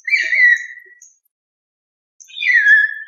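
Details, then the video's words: Common hill myna producing two drawn-out whistles that glide downward, separated by about a second of silence, with faint higher overtones giving a slightly rich, fluty tone. "O Canto do MAINÁ DA MONTANHA (Gracula Religiosa) Bird Song - Hill Myna"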